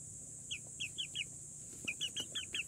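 Rose-ringed parakeet chicks give short, sharp, high chirps in two quick runs of four and five, about three per second, over a steady high hiss.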